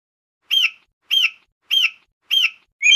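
An eagle gives a run of high, thin screeching notes, each arching up and down, repeated steadily about every half second against silence.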